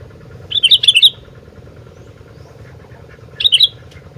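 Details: Sooty-headed bulbul (gentilang) in lively song: a quick run of six liquid whistled notes, a pause of over two seconds, then a shorter burst of three or four notes, with a constant low mechanical hum behind.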